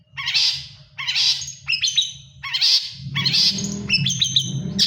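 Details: Long-tailed shrike singing during its moult: harsh, rasping phrases repeated about once a second, each followed by thin high whistles, with a low rumbling hum underneath.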